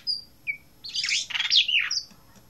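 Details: Short whistled notes from an Asian blue rock thrush, then one warbled phrase of swooping, slurred notes and a final high thin whistle, with a faint background hum.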